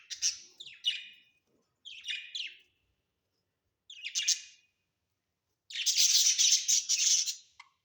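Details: Budgerigars kept as pets at home; paired raspy chirps repeated in short bursts, then a longer, dense, buzzy chatter near the end.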